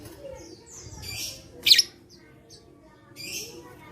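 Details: Lovebird song played to spur lazy lovebirds into singing: sharp, harsh broadband screech bursts with short high whistled chirps in between, over faint background hum.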